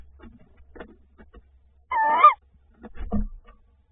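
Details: Tawny owl (Strix aluco), 28 February 2024, around prey brought by the male: one loud, wavering, harmonic call of about half a second, then a short rougher burst, with faint soft knocks and rustles.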